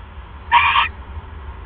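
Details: One brief, rough, harmonic owl call near midnight on 28 January 2015, during a male's mouse delivery to his mate, with a low hum behind it.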